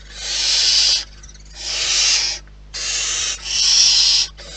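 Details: Four harsh, breathy hisses of under a second each come from barn owls at their nest in the wild, separated by short pauses with a faint hum.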